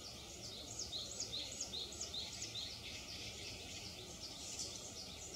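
Pale thrush giving thin, high, slurred notes about twice a second over a steady hiss of background noise.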